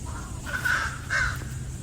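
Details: An American crow in St. Petersburg, Florida, calling back to another crow as it had for ten minutes, with other birds in the background: two harsh, nasal caws about half a second apart over a steady low rumble.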